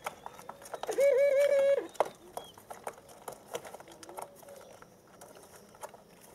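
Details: Two 23-day-old white dove young at 11 a.m., one up on a perch and one practising pecking at the ground; a short burst of rapid wavering notes lasting under a second, then quiet patter and soft scattered sounds.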